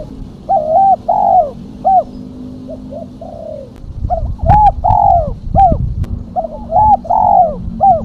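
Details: Lure call of a female spotted dove: a series of warbling coo phrases, each a rolling double note and a clipped final note, repeated through the clip, with some clicks and low rumbling noise.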